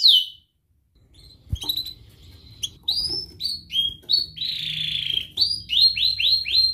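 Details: Canary lure song for teaching young canaries. Varied whistled and sweeping notes, some rapid repeated chirps and a buzzy note, with faint low background noise.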